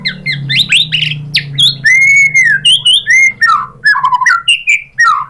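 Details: Varied White-rumped shama song played as a lure to make another shama sing back: a rich run of sweeping whistles, a long arched clear note, then rapid downslurred and warbled phrases, with a low hum underneath.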